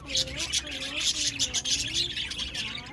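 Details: Several budgies chattering continuously on 1 November 2023, a dense stream of high twittering chirps with faint wavering tones beneath.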